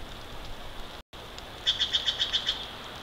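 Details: Bald eagle at a nest in Big Bear Valley, filmed by a wide-view live nest camera on 29 March 2023 at 09:40; after a faint stretch comes a quick series of about eight high, thin chittering notes, evenly spaced.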